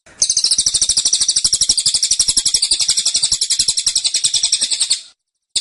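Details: A caged cililin fires a sustained tembakan of about five seconds: rapid, insistent, high-pitched notes packed closely together, then silence.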